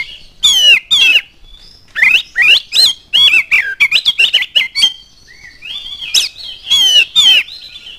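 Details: Oriental magpie-robin delivering lure song to set other birds singing: paired sharp whistles, then a quick chattering run of warbled notes, a softer sustained slur, and closing ringing whistles.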